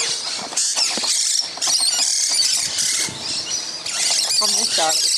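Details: Around twenty musk lorikeets feed loudly in a tree at the front of a house on Christmas morning. Incessant shrill, buzzy squealing in overlapping bursts, and a short human voice toward the end.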